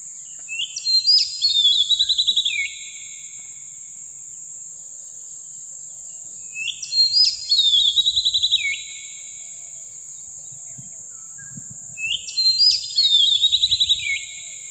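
An Oriental magpie-robin sings short, bright whistled phrases over a steady high insect hum.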